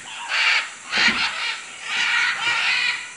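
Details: Macaws calling in Manu, Peru: a string of four rough, grating screeches, each about half a second long, with a soft thump around the second call.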